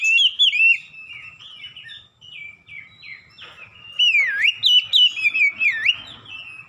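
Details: Clear whistled song of an Oriental magpie-robin, used to train caged birds at home in 'ngeplong gacor' style: repeated sliding, dipping whistles in two loud bursts, with thin high notes layered above.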